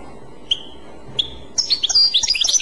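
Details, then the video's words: European goldfinch singing in the Clochette style: two short high whistled notes with pauses, then from mid-clip a fast, bright run of twittering, chirping phrases. "تغريد كلوشات Chant Clochette"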